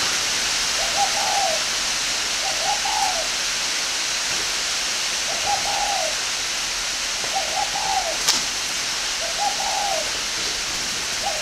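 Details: Spotted dove from a breeding aviary in Ba Vi district, Hanoi, northern Vietnam, giving soft, mid-pitched cooing phrases of several slurred notes, repeated roughly every two seconds over a steady hiss.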